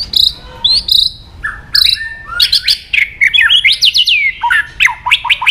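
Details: White-rumped shama song provoking aggression, with high clear whistles, then a fast series of sharp falling notes and chips.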